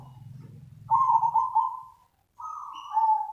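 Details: Perkutut, the zebra dove, giving its lure call: a low hum, then two sustained vibrating coo phrases, the second after a short silence, with a faint higher note near the end.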